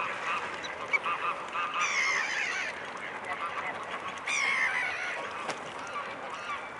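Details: Mute swans at the Blaues Wunder bridge in Dresden, 2 February 2018 at 15:30; two harsh, nasal honking bursts around two and four seconds rise above a steady background hum.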